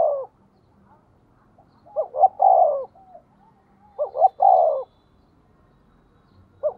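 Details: Cooing of a decoy spotted dove meant to attract wild doves: paired stuttering notes leading into a long, hoarse, falling coo, repeated twice about two seconds apart in a quiet setting.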